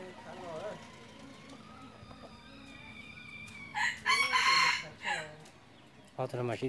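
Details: Hunting decoy red junglefowl gives a short, ragged crow in the middle of a stretch of low human talk, with a fainter voice heard again near the end.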